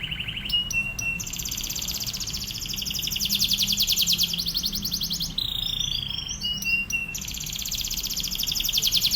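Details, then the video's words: Training song of a canary for other birds to copy, delivered in rapid drilling bursts: sharp high clicks and brief whistles lead into long fast pulsed trills that switch pitch repeatedly, continuous throughout with faint low background hum. "KENARI GACOR//TEMBAKANNYA NGEBREN... MASTERAN BURUNG KENARI"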